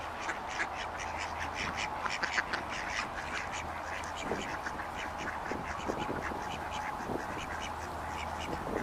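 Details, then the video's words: Ducks chattering in a busy group, short nasal quacks repeated many times a second in irregular clusters, with a steady low hum underneath. "duck sounds"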